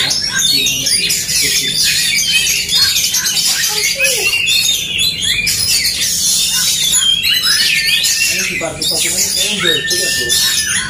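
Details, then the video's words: Fighting duel between Oriental magpie-robins, known locally as kacer: continuous rapid scratchy chatter and harsh squawks, broken by clear whistled notes and rising slurs, with low human talk in the background. "DUEL Kacer tarung bongkar emosi"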